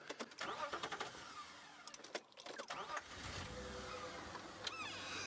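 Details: Car engine and road noise fill the recording, with clicks, a whirring window motor and rising mechanical squeaks, but no animal voices.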